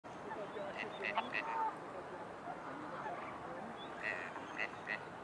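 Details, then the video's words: Male gadwall quacking quietly in two brief bursts of short nasal notes, warning a rival drake a few yards away to keep away from his mate; gadwalls are usually silent. "The quiet voice of the Gadwall"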